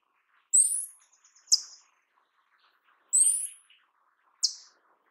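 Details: Paradise tanager giving two pairs of notes: a high rising buzzy call then a sharp falling tick, with faint quiet chatter underneath.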